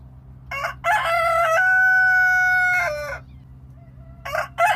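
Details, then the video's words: A domestic rooster gives a full crow: harsh stuttering opening syllables, a long sustained ringing middle note of over a second, and a ragged falling end, then starts another crow, with a low background hum. "صوت ديك بلدي🐓 rooster sound 🐓 bruit du cooq"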